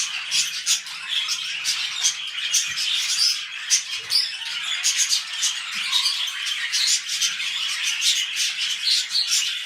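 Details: Budgerigars kept as pets, mating before a new clutch, keep up a long rambling chatter: fast scratchy clicks, squeaks and short high whistles pouring out without a break.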